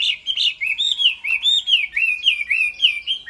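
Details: Chinese hwamei kept in a cage, singing a rich run of loud, clear whistled notes that rise and fall, delivered quickly and continuously, each slurred note followed by another in a lively repeated pattern.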